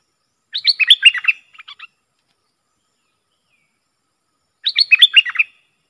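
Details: Bulbul, excited by rival birds, gives two short bursts of fast, jumbled whistled notes about four seconds apart, with a few faint clicks after the first and silence between.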